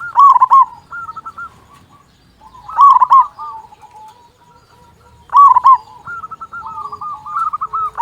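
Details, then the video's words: A loud local zebra dove, played to rouse quiet doves into singing, repeats a stuttering cooing phrase three times. Softer trilled coos from other doves fill the gaps, with a faint low hum beneath. "Perkutut Lokal Gacor Suara Besar Pancingan Burung Perkutut Agar Cepat Bunyi"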